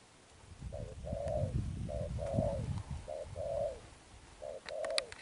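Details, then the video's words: Wild-caught spotted dove performing 'Thúc Đồng Pha Sấm' cooing with 'Sấm Thổ' tone. Four short-long coo pairs roll out steadily over a heavy low rumble, with a few sharp clicks near the end. "Thúc Đồng Pha Sấm, Gù Âm Sấm Thổ, Bổi tướng bồ câu"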